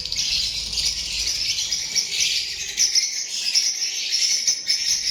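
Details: Many lovebirds chattering together: a steady, piercing high chorus of overlapping squeaky chirps, with sharper individual tweets standing out near the end.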